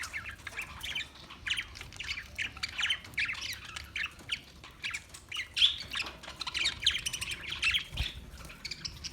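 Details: Parakeets giving harsh, squawky chirps in rapid, uneven bursts, several birds overlapping, with sharp scratchy notes and brief louder squawks throughout, over a faint low background hum.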